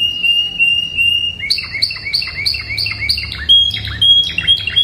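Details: A Spanish Timbrado canary sings a classic song, used for tutoring young birds, with a long level metallic note, then rolling, repeated trills.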